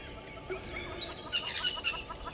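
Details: At the Gowrie dam waterhole in Djuma Game Reserve, Sabi Sand Wildtuin, South Africa, early morning 05:16 on 13 October 2020, yellow-billed and red-billed hornbills give short, bright clucking bursts that grow louder toward the end, with faint background rumble.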